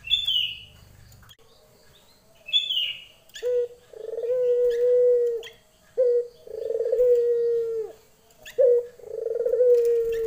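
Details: A female Barbary dove calling for a male in the lenjeh manner gives three rolling coos, each opened by a short sharp note. Thin high chirps from another bird come early, before the coos start.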